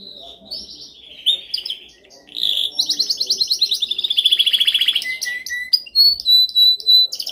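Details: Canary performing a dominant song meant for training: rising slurs lead into long, rapidly pulsed trills, then clear separate whistled notes and high chips, all loud and clean against near silence.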